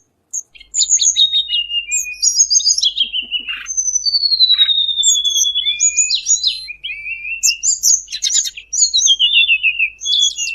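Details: Bar-winged prinia trapping lure: fast, busy high chirping, several notes a second, mixing long falling whistles, short clicks and buzzy trills in a continuous excited stream.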